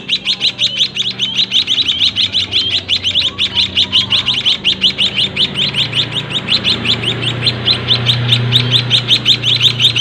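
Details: White-headed munia chicks in a small breeding cage, still being hand-fed by their parent, give a fast, steady stream of thin, high chirps, almost three a second, over a low background hum.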